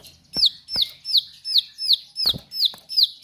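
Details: High, sharp downslurred notes of a Bar-winged prinia in strong song, given in a steady string of about eight notes, each followed by clear overtones, with occasional snapping clicks underneath.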